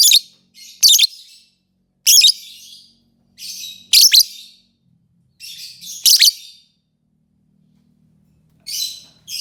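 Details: Lovebird chattering in loud, raspy, buzzy squawks and screeches, coming in clustered bursts with brief gaps between them.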